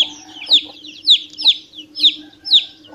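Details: Young chicken chick cheeping repeatedly, clear high falling peeps spaced about half a second apart, softer in between, with a low constant hum behind.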